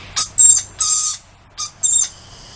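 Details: Lorikeets greeting a person outside with five quick, shrill, grating screeches, the middle one longest, over a faint low background hum.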